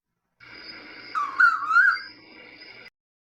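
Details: Silky-tailed nightjar (Antrostomus sericocaudatus), a rare species of well-preserved forest in the Amazon and southern/southeastern Atlantic Forest, singing a single clear whistled phrase that rises, dips and rises again in under a second, over a steady insect-like hum.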